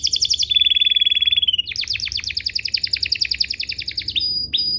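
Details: Canary singing as a prompt for other canaries to reply: fast pulsed trill, a steady whistled note sliding down, then a long run of rapid downslurred chips and brief high whistles.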